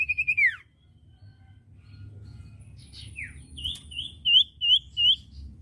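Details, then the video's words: Common iora training song for caged birds: quick whistled notes ending in a falling slur, scattered faint chips, then loud curling whistles in a spaced series. "masteran burung cipoh bahan II masteran cipoh sirtu bahan"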